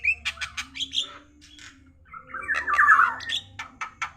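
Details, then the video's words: Javan myna gives a run of harsh broad squawking notes, then a long grating rasp that falls slightly in pitch, followed by short chattering bursts, over a faint low hum. "jlak kebo batuk batuk gacordor atas bawah mantap"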